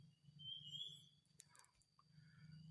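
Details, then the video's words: A wild black-capped babbler in forest, near a trapping lure after escaping a snare, gives a single clear, high, level "wit" whistle of about half a second, then soft rustling and faint notes. "suara asli burung peladuk topi hitam"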